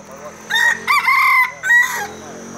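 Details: Rooster crowing at a crowing contest in Dungun, where cocks compete for the most crows: a loud, harmonic call in stepped bursts with a long held middle note, people talking nearby.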